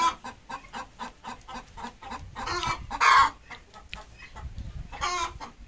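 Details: Desi hen, a native domestic chicken, laying an egg: a steady series of short clucks, about four per second, broken by two louder, longer harsh squawks.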